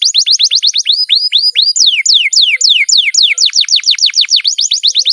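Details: Pet canary singing a long rolling song: quick runs of high, downslurred whistled notes, about eight a second, changing to slower, broader sweeping notes and then speeding up again, with no other sounds.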